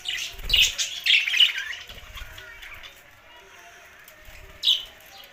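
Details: Budgies give a couple of loud, scratchy high chirps and squawks at the start, then the chatter fades to near quiet before a single sharp chirp near the end.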